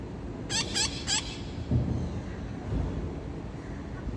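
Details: Visiting parrots at 5:20 in the afternoon on 30 August, a scout calling others over: three evenly spaced harsh squawks in quick succession, followed by low rumbling background noise.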